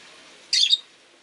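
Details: One short rasping squawk from a caged rosy-faced lovebird by a window, over a steady background hiss of town noise.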